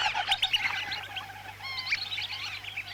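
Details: Lesser whistling ducks in Lampung, Indonesia, a recording used to lure the ducks for trapping: several thin, wavering whistles, some rising and falling, overlapping over a steady low electrical hum.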